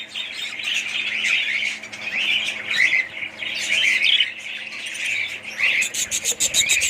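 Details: Budgerigars chattering in a colony, bursts of warbled chirps rising and falling in loudness, ending with a run of rapid clicking ticks.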